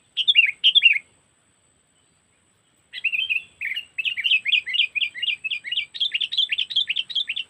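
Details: Trapping lure of the sooty-headed bulbul (kutilang), cengkeram style, Lampung: two sharp chirps, a pause, then a long, fast series of clipped warbling notes repeated about twice a second, getting more even toward the end.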